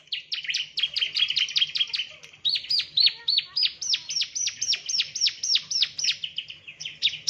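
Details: Training recording of a male bar-winged prinia: a long run of dense, quick chirps, each a sharp downward-sweeping note, delivered nearly four per second with steady intensity, and a soft low hum underneath.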